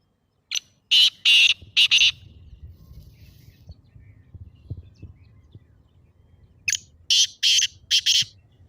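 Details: Black francolin (kala teetar) call played to get a pet partridge calling: two phrases of four harsh, rasping notes each, separated by about four seconds of quiet low background noise.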